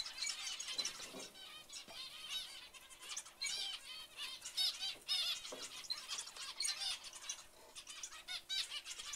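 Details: Zebra finch chicks giving a dense, continuous chorus of overlapping raspy, harmonic-rich calls that rise and fall in loudness, with short higher squeaks scattered throughout and no pause across the stretch.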